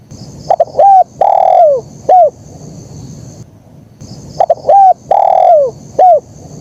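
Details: Terkukur (spotted dove) singing in the kuk 1 style, clean and clear: two matching phrases separated by silence, each of clipped coos, a long coo falling at the end and a short downslurred note.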